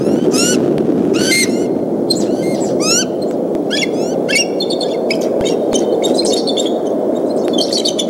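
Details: Alarmed bald eagles, mother and father, guard their Decorah nest against an intruding fox squirrel on 17 April 2014 around early afternoon; loud piercing squeals sweeping up and down, repeated about every second, fading into softer chittering over steady background hiss.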